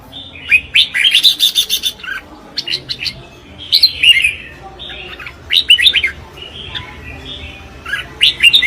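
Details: Red-whiskered bulbul singing competitively (hót đấu), with loud, lively phrases of quick, slurred whistles and sharp chips repeated every second or so, some phrases dropping in pitch, over a faint background hum.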